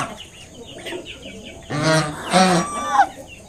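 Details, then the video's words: Mother swan guarding her five newly hatched cygnets, honking at a person who came close. Two loud, harsh, nasal honks with a rich harmonic stack follow one another near the end, over low background rumble. "Mother swan making sounds to protect her baby swans."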